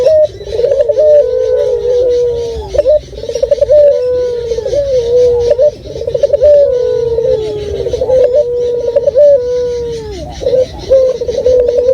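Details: Local spotted dove used as a lure for birds, loud and clear: a series of deep, resonant coos with slightly falling tones, phrases repeated in quick succession for the whole stretch, recorded indoors.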